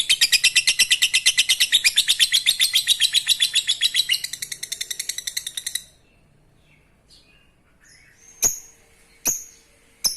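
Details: Lovebird song aimed at stimulating breeding, six seconds of fast, shrill chattering that stops abruptly, followed by silence and three sharp separate squeaks.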